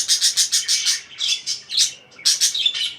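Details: Fast run of harsh parakeet chirps, about six per second, then a brief warble, a short pause and another quick burst.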